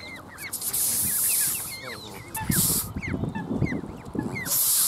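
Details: Hissing Canada goose: several long airy hisses, one near the start and others later, with shrill gosling peeps rising and falling throughout and low thumping noise underneath.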